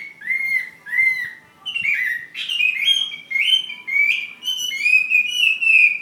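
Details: Chinese hwamei fighting bird from Ha Giang giving a series of clear, ringing whistled slurs in short phrases, each repeated with slight changes and rising in pitch toward the end. No other sounds intrude.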